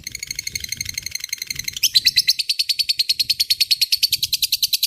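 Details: Lovebird in long 'ngekek panjang' chattering song, used as a tutor recording for magpie-robins and shamas: a fast, even run of high buzzy notes that speeds up and tightens after about two seconds, over faint low rumbling.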